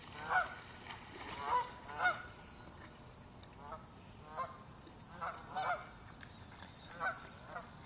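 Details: Warning calls of ducks moving away from the shore of a lake: loud honking calls come in clusters, three early and several more later, each coarse and harmonic, over soft steady noise.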